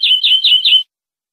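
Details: A European greenfinch from a clean tutor recording for captive birds, 2020/2021, gives four quick ringing notes, each sliding down into a short level whistle, in under a second.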